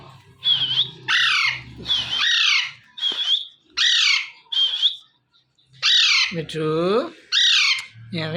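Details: A young pet Alexandrine parakeet giving natural morning calls: harsh, grating squawks, about one a second, some rising and some falling in pitch, over a faint low hum.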